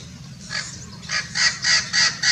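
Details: A Blue-fronted x Red-crowned Amazon parrot hybrid at Irvine Regional Park, California, on 9 January 2018 (winter) gives harsh squawks in a quick series of about five, roughly half a second apart, growing louder toward the end.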